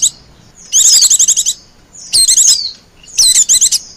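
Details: White-eye lure sound for calling wild white-eyes: three dense bursts of very high, rapid tinkling trills, each under a second long, with a quick down-slurred twitter inside.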